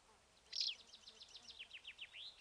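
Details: Black-eared Wheatear (Oenanthe hispanica) near Ermita de la Virgen de la Sierra, Cabra, Andalusia, Spain, gives a scratchy burst, then a quick run of high, thin down-slurred whistles, about five per second, against faint background hiss.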